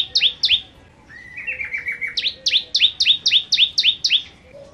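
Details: Bar-winged prinia singing in the vigorous 'gacor nembak nembak' style: sharp paired chirps, each a high note sweeping down into a lower one, repeated about four times a second after a short stuttering run of lower notes.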